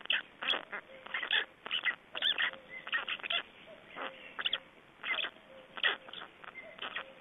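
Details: At an Estonian black stork nest on 25 May 2012, during feeding and nest change-over, rapid rasping, nasal bursts come in quick irregular runs, with short steady whistle-like notes between them.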